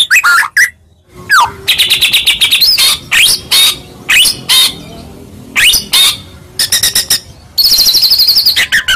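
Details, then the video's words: White-rumped shama (murai Medan) fighting song used as a lure to make other shamas reply: loud bursts of rapid repeated notes, buzzy rattles and trilled phrases with sharp downward whistles, separated by short pauses. "Pancingan Tarung Murai Medan Gacor AMPUH Buat Murai Apapun Seketika Langsung Nyaut"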